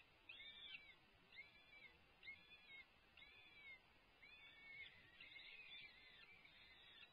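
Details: A peregrine falcon calls at a nest as the male arrives with food on a city livestream: a series of harsh, wavering, chattering notes roughly every second, faint over steady background hiss.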